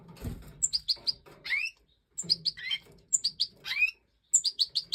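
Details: Major goldfinch (Stieglitz Major) in breeding, 2024, singing bursts of bright high tinkling notes, each run broken by a buzzy rising slur, with brief pauses between phrases.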